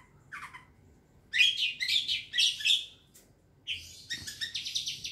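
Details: Young wild long-tailed shrike lure sound: a brief squeaky note, then fast harsh chattering in two bouts, the second a rapid buzzy trill of high notes.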